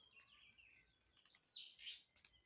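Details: A leaping blue-black grassquit delivers one loud, buzzy note plunging from very high to middle pitch, followed by a brief lower burr, after a few faint thin whistles.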